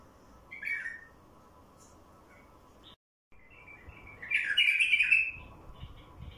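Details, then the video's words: Wild bulbul song for luring wild bulbuls: a short warbled note, a brief dropout, then a long loud chattering warble with scattered softer chirps trailing after. "تغريد بلبل وحشي لفتح البلابل الوحشية"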